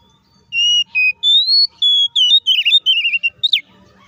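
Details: Oriental magpie-robin delivering an aggressive ngeplong tarung song meant to provoke rival magpie-robins: long clear whistles rising in pitch, then faster warbled and trilled notes closing with a sharp upward slur, little background noise.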